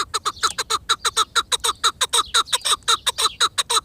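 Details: Chukar partridge calling in a rapid series of sharp, clipped notes, roughly three per second, each with a slight downward slur, steady and loud throughout.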